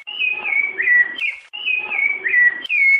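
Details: Rufous-bellied thrush song in the Piedade style, for training young birds: two identical phrases of clear whistled notes, each gliding downward with a short upturned ending, about one and a half seconds apart.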